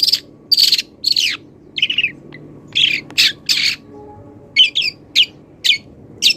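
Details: Moulting long-tailed shrike giving a mimicry-filled song of imitated wild birds: loud, buzzy squawks and rasping notes early on, then separate sharp, downward-slurred whistled chips spaced about half a second apart, in a quiet setting.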